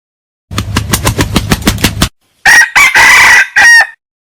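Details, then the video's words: Wild red junglefowl rooster beats its wings in a rapid series of about nine low thumping flaps, then gives a loud, clipped crow in four short bursts, the last note thin and trailing off. "Suab Qaib qus qua tuaj zoo heev"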